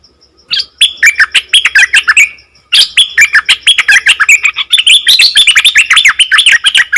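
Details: Nok dok taeng bird singing, a song that leaves wild birds baffled: rapid, dense warbled chirps and twittering notes in fast runs, a brief pause after two seconds, then continuous chattering song to the end.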